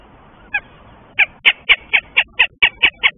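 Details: A single harsh note, then nine evenly spaced, nasal cackling calls from a goshawk pair at their nest near Tartu, Estonia, before the first egg is laid.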